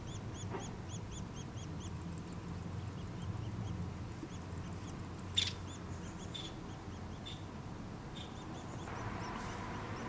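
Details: Nuttall's woodpecker nestlings beg as they are fed. Quick high squeaky notes run clearly for the first few seconds, then fade and become scattered. A loud knock sounds midway over a low background rumble.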